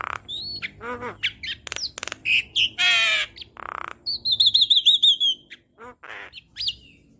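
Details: Asian pied starling (jalak kebo), a cage bird in a training recording: a varied, lively medley of harsh buzzy notes, clicks, rising whistles and a rapid run of repeated high chirps.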